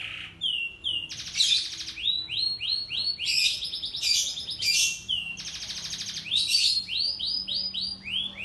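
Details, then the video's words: Young canaries (kenari anakan) singing in a master-training compilation: bright varied song with rapid buzzy trills alternating with series of repeated upslurred whistled notes, loud and continuous. "KUMPULAN SUARA BURUNG KENARI GACOR (MASTERAN KENARI ANAKAN)"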